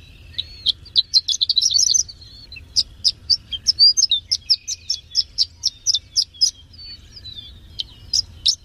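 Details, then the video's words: Third-place champion Horsfield's bush lark in song: a dense burst of high chirps, then crisp sharp notes repeated about three per second, with thin buzzy strands between. "SUARA BURUNG BRANJANGAN JUARA 3"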